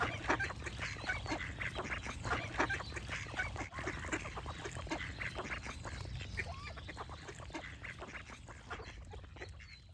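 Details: Ducks quacking in a dense, overlapping chorus of short, harsh, nasal calls that come in rapid bursts throughout, many birds calling at once, over a steady low rumble of background noise; the calls grow slightly quieter toward the end.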